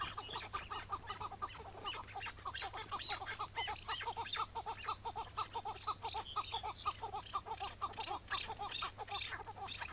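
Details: Wild chukar partridge of the Iraqi type, on a May 2017 morning during a hard struggle to catch it, later released. Continuous rhythmic clucking notes run about twice a second against a hissy background.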